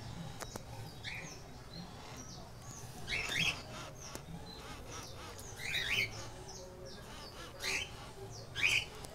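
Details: One-month-old keel-billed toucan chicks; short squawking bursts of harsh, rasping notes roughly every two seconds, four main bouts, over steady low background hum.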